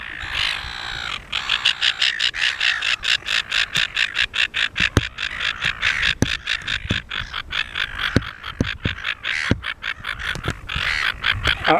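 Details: Silver gulls, a pair performing together on Penguin Island off Shoalwater near Rockingham. They give harsh, rapid repeated calls, over two per second, with uneven spacing and brief louder bursts, outdoors with faint human sounds.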